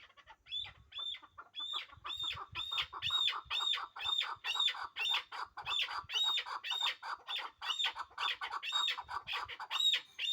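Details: Hybrid chukar partridges, a pair kept for breeding, giving a fast run of harsh, clucking notes with a bright upper tone, repeated about twice a second in a steady chorus for ten seconds.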